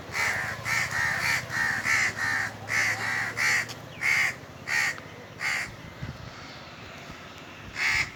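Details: Indian crows cawing from the top of a tree on a very hot summer day: harsh, nasal caws repeated in a steady series about every half second, then sparser calls after a short pause, with a faint low hum beneath.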